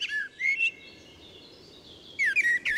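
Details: Common blackbird singing in Central European forest: short phrases of clear, fluting whistles with slurred notes, separated by a pause of over a second; a quiet background hiss.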